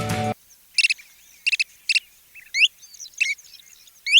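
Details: Kentish plover (Charadrius alexandrinus) in Sri Lanka, a coastal bird of beaches and salt ponds, calls with short, sharp, high clicking notes in quick pairs and triplets, then thin rising whistled 'pweet' calls, after a brief burst of music.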